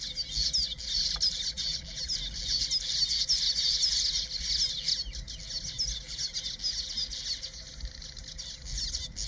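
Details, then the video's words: Male Village weavers in Zululand, KwaZulu-Natal, South Africa, displaying at their self-built nests to nearby females, keep up a dense, wheezy, sizzling chatter of rapid high notes, many birds overlapping without pause, with a faint steady hum underneath. "Village Weaver"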